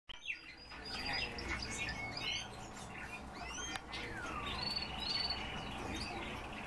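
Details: European bee-eaters, kept birds, calling in a mix of whistled and trilled notes with rising and falling sweeps, several overlapping voices throughout, with steady background hiss.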